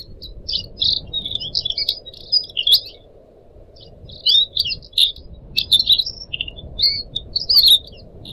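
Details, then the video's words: Pied triller kept as a pet, singing for a tutor recording: clusters of fast buzzy chatter separated by brief pauses, with scattered sharp clicks and a steady trickling-water sound underneath. "kicau burung decu kembang"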